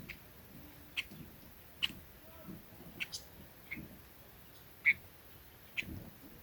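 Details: Lure call of the red-billed leiothrix: a handful of crisp, clipped notes roughly once a second, the loudest near the five-second mark, set against quiet low-pitched background noise.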